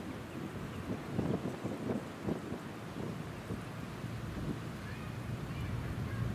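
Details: Gusty wind buffets the microphone over a low rumble of water and boat noise, with no animal calls.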